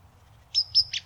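A White-throated sparrow's clear, pure whistle, held steady on one high pitch for about half a second, over a faint low background hum.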